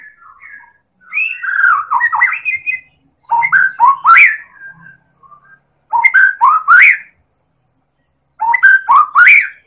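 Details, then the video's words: White-rumped shama of the Medan type, played to provoke other birds into song: loud bursts of rich whistled notes and sweeping slurs, repeated in groups separated by short silences. "Pancingan Burung Murai Batu Medan Super Gacor Elit Juara"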